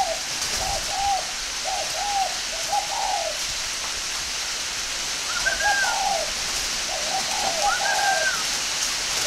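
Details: Captive northern Vietnamese spotted dove from a breeding farm in Ba Vì, Hanoi. It utters clusters of low coos and a few higher, sliding whistled notes, all set against loud steady hissing noise.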